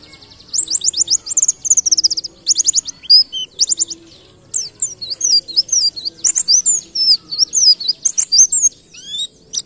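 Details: Long ngalas-style white-eye song with canary-like bursts, from a masteran tutor recording: fast rattling trills of high notes alternate with varied twisting whistles and sharp chips, continuous and energetic, with a faint low background tone.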